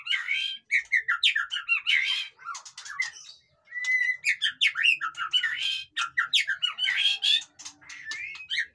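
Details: White-rumped shama in noisy song, fast harsh chatters and squawky notes alternating with brief whistled slurs, sung in bursts separated by short gaps.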